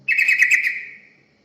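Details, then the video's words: Yellow-vented bulbul song used as a lure for other birds: a fast, warbling chatter of about a second, then a fading whistled tail. "Pancingan burung terucukan"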